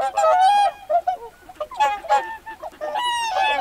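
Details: Whooper swans on a lake with pintail ducks nearby, busy with many loud calls close to the microphone: overlapping trumpeting honks, some drawn out and some short, follow one another almost without pause in a noisy chorus.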